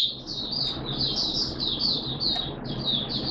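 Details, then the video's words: Oriental white-eye kept in a cage, singing on the second day of its monthly deworming in September 2022. It gives a steady, softer stream of high, sweet twittering notes over a low background hum. "Mata Puteh T Rex Buka Sing"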